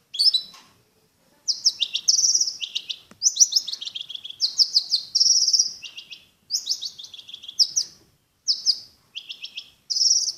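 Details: Long-tailed shrike song, presented as song material: varied high, chattering and whistled phrases in short bursts separated by brief pauses, some notes sliding downward, with no other clear sounds.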